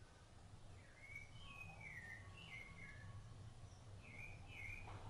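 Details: Rufous-bellied thrush feeding nestlings: a few soft, slurred whistled phrases, a pause, then two more short phrases over a steady low hum.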